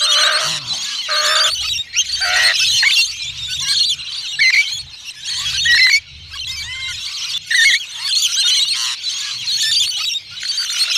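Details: Wild rainbow lorikeets filmed in Mackay, Australia, in 2017 during strange behaviour give harsh screeching squawks and shrill chattering. Several birds call almost continuously in rapid, overlapping bursts.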